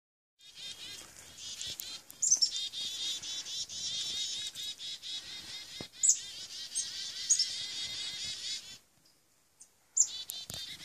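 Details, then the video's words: Chickadees in an attack give a dense, excited chatter of high, buzzy chirps and thin notes, many overlapping, with a brief hush near the end. "chickadee attack"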